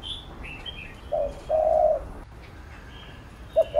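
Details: Cooing spotted dove heard while training a bird: a short coo followed by a longer steady one, then quiet, ending with a brief note; thin high chirps of small birds early on.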